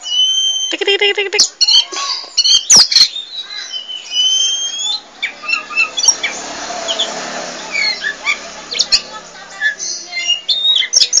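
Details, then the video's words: Oriental magpie-robin, poci form, in lively nonstop song: trilled stutters and steady whistled notes open, then loud clicks and scattered twittering phrases over a hissy background. "Kicau Burung Kacer Poci Gacor Cerewet Nggak Mau Diam"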